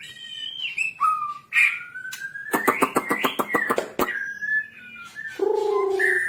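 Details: Captive white-rumped shama song used for training: sliding whistles, then a fast rattle of evenly spaced clicks with a rising tone behind it, ending in a low nasal drawn-out note.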